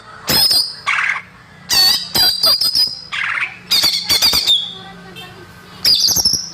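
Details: Greater green leafbird song used as a lure for young birds, natural recording: loud bursts of rapid, varied, high chattering and whistled phrases separated by short pauses, with a few lower, buzzier notes between.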